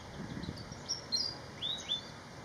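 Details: Malaysian pied fantail song: a few short, high whistled notes, some sliding up and others dropping, spaced irregularly over two seconds against a steady background hiss and low rumble.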